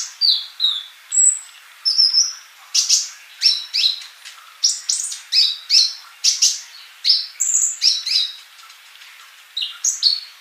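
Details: Vigorously singing sunbird, a master recording for training birds: steady rapid series of sharp high chirps and short whistles, roughly three per second, with occasional thin drawn-out notes.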